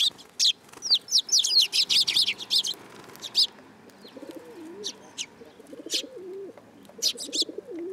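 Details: Sparrows perching on a person's hand at a Tenmangu shrine on 8 July 2022, giving bursts of sharp, high chirps, clustered early and again near the end, with soft, low cooing from a dove in the background.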